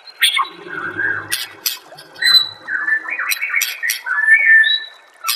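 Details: Master song of a white-rumped shama (murai batu) for training caged birds: rich whistled notes and slurred phrases broken by sharp ticks, with a faint low murmur under the first second and again near the middle.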